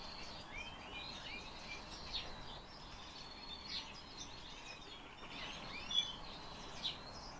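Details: A black lark, apparently a kept bird, sings a continuous, jangling stream of chirps and slurred whistles in the upper-middle range, with sharper notes near the end over steady background hiss.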